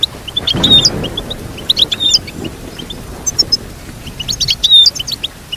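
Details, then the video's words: Goldfinch song meant to teach a goldfinch to sing: scattered high chirps and short liquid trills, with a low rumble early on and a few clear whistled notes. "Teach your goldfinch to sing beautiful motivational songs"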